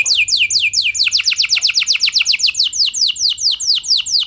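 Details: Lure song of a canary meant to get other canaries singing long: a steady run of quick, sharply falling high whistles, several per second, repeated evenly throughout.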